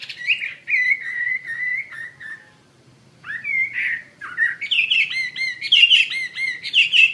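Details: Actively singing wambi mandarin bird gives long, slightly wavering whistles, a short pause, then brighter twittering phrases with quick up-and-down notes growing louder toward the end.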